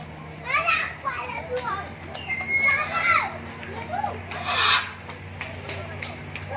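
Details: Large red macaws, a captive breeding pair, give short, voice-like chattering notes that rise and fall, with a harsher squawk near the end, over a low background hum.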